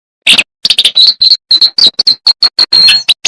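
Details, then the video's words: Jongkangan, a small songbird with a loud flute-like voice, in full chattering song: a burst of dense chirps, then crisp high notes repeated about every quarter second, each a short bright whistle with buzzy edges. "AUDIO MASTER BURUNG JONGKANGAN GACOR FULL ISIAN DAN TEMBAKAN MEWAH"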